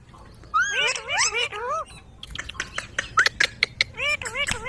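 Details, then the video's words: Pet ringneck parrot chattering in mimicked speech: a burst of wavering, rising-and-falling voiced syllables, a short pause, then clipped sharp notes and a few more bending tones. "Parrot Talking |Ringneck parrot sound"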